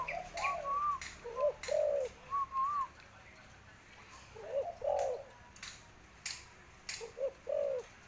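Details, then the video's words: Very tame spotted dove that plays with a hand: repeated soft, rounded low coos in groups, mixed with higher arched whistled notes and sharp clicking taps between phrases. "bunyi burung tekukur"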